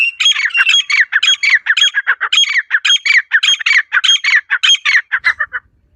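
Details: Natural call of a wild female partridge, a steady run of loud, rasping squawks delivered rapidly and rhythmically for several seconds, trailing off into a few softer notes at the end.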